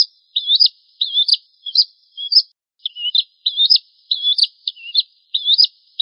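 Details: Bar-winged prinia, Prenjak Jawa, tutor song meant to teach caged birds: high, sharp chirps repeated at a steady quick pace, some notes dipping and rising, with a short pause midway and no background noise.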